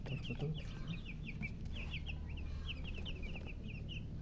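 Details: Baby chickens, thirsty for drinking water, peeping continuously: many short high descending chirps overlapping in a busy chorus, over a steady low hum.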